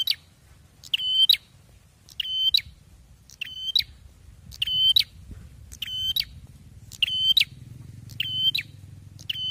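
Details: Bar-winged prinia in full loud song, eight rasping, harmonic-rich bursts spaced a little over a second apart, over a quiet low hum.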